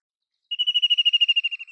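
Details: ['White-throated kingfisher call as a rapid chatter of about sixteen high, clipped notes, steady in pitch and sinking slightly as it fades, over roughly 1.2 seconds with nothing else audible.']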